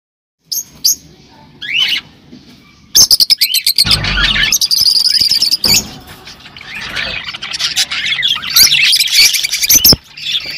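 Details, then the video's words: Rosy-faced and Fischer's lovebirds singing to encourage mating: brief rising chirps, then from the third second a dense, loud stream of shrill squawks, rapid ticking notes and high twittering running almost without pause. "تغريد طيور الروز والفيشر"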